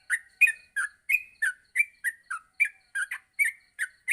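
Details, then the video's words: Yellow-vented bulbul in a morning training recording meant to help young birds quickly learn continuous singing: bright chattering notes with ringing overtones, repeated about three times per second with uneven spacing, on a clean, quiet background. "masteran pagi burung trucuk untuk melatih trucuk agar cepat ngropel"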